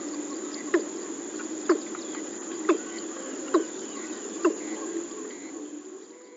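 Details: Watercock at Shirgao, Bicholim, Goa, India, 21 July 2014: five low, hollow 'kook' notes, evenly spaced about once a second, over a steady background hum.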